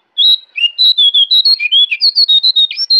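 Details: Orange-spotted bulbul (jongkangan) singing in the forest at Kintamani, Bali: a loud, continuous run of clear whistled notes, each short and slightly slurred, alternating higher and lower pitches, a dozen or more in three seconds.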